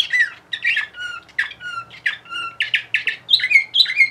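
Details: Bulgarian canary of the Orpheus line from Sofia, recorded in 2020, singing indoors: a lively stream of rasping notes alternating with short clear whistles, about two phrases a second, ending in looping higher whistled notes.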